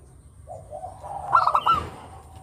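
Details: Local zebra dove whose melodious song serves as a lure: soft low notes lead into one short burst of quick, stuttering coos.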